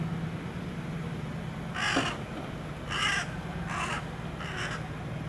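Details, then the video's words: Young jungle crow calling: four hoarse, nasal caws spaced about a second apart, each short and harsh, over constant low rumbling background noise. "幼鳥ハシブトガラスの 鳴き声"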